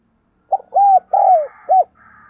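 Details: Decoy spotted dove calling to lure wild doves: one loud phrase of four low, hollow coo notes, a short opening note then three longer arched notes, with a faint steady tone at the end.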